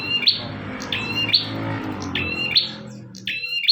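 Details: Bar-winged prinia in full song, meant as a master recording for teaching other birds. Quick buzzy rising phrases, each ending in a sharp high chip, come about once every second over a constant low hum and room noise.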